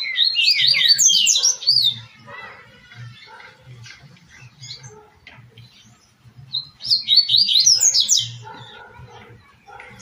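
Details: Tui tui style song of the double-collared seedeater, from a 2024 track used to warm up and train captive birds: quick, bright descending whistled notes in a strong phrase heard twice, with softer chirps of other birds between.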